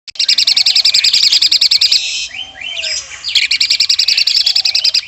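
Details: Asian pied starling mimicking a woodpecker, a master recording for contest birds: two bursts of fast, regular rattling pulses, about three and a half per second, separated by a brief pause with softer sliding whistles.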